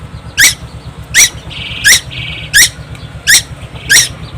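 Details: Young Timor Island tuwu singing without pause: six rough squawking notes about 0.7 seconds apart, with brief thin buzzy notes slipped between them and a constant low hum.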